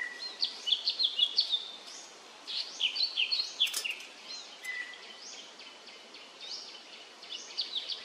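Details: Male Indochinese blue flycatcher, Cyornis sumatrensis, recorded 13 May 2023 at Khao Yoi arboretum, Phetchaburi province, Thailand: rapid runs of varied high whistled and twittering notes, some sliding up and down, continuing almost throughout with short pauses.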